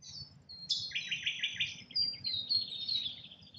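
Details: Rainbow lorikeets feeding in Australia: a sharp screech leads into a quick run of rasping, stuttered notes, then drawn-out thin whistles and softer chatter.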